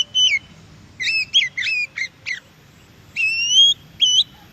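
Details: Wild Oriental magpie-robin delivering a rapid series of doubled, forked whistled notes, then a long upward-sliding whistle and a final short note, with soft low background noise.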